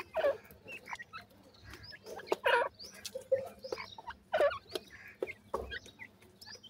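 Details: White francolin chicks feeding: short squeaky cheeps and chirps in loose clusters, interrupted by louder scratchy rustling bursts roughly every second.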